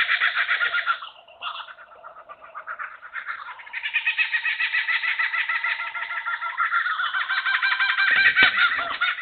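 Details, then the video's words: Laughing Kookaburras give their raucous rolling territorial laugh, a rapid chuckling series that builds in volume, with several birds overlapping in chorus. "the territorial call is a distinctive laugh that is often delivered by several birds at the same time"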